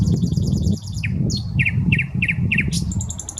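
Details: Common nightingale in a Saint Petersburg park beside the Smolenka: a fast high trill, then several sharp doubled downslurred notes and a closing high rattle, with low urban rumble behind.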